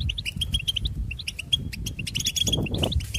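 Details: Goldfinch song in brisk twittering runs of bright chirps, a sustained clear tone threaded through, ending in a quicker, denser flourish over low background noise.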